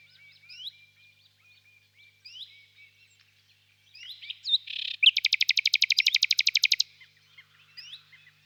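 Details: Common nightingale song: soft rising whistled notes spaced apart, then a dense buzzing burst. A very fast, loud rattle of repeated high notes lasts nearly two seconds, followed by more faint whistles.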